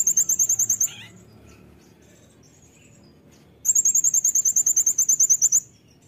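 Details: Caged Brown-throated sunbird singing as a tutor: a short burst of high, rapid ticking notes, a pause with faint chirps, then a long two-second run of about twenty sharp repeated notes.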